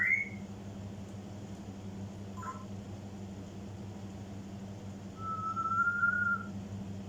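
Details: Mimicking African grey parrot whistles a short rising note and a brief squeak, then holds a long, steady, clear whistle for over a second, against a faint constant hum.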